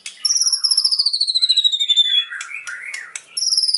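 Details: White-rumped shama song: a long fast trill of high notes descending steadily, interrupted by harsh clicks and chattering, then a fresh high trill starting at the end.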